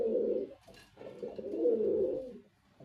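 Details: Two low, gurgling coos from a male white pigeon, the second longer and louder, ending in quiet.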